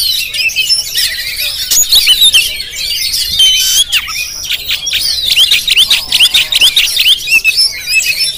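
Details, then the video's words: Jampang-type Oriental magpie-robin filmed with a GoPro, pouring out a rich, fast medley of sharp chirps, buzzy trills and whistled slurs. Clicks and brief breaks punctuate the busy high-pitched stream. "Penampilan Kacer JAMPANG yang Tampil Menggoda"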